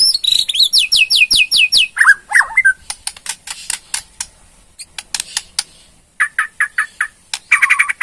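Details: Borneo white-rumped shama, a hobbyist's bird, in ketrekan rattling used to provoke replies: a quick series of high down-slurred whistles, then a buzzy phrase, scattered dry ticks, and repeated short mid-pitched notes.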